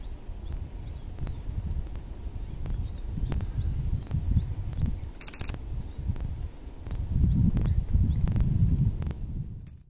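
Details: Crested tit calling in Espoo, Finland, on 6 February 2019: a run of short, high, rising-then-falling notes repeated about every half second, over steady low rumbling background noise with a few sharp clicks.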